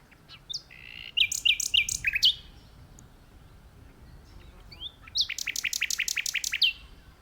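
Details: A common nightingale sings from an open spot in a tree: two rich phrases of high whistles and sharp notes, then a pause and a fast, even string of about a dozen ringing repeated notes.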